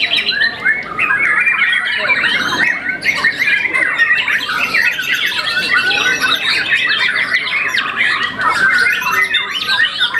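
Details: White-rumped shama, a young champion contest bird moulted once, giving a long, restless song of slurred whistles, chattering runs and buzzy rattles with barely a pause.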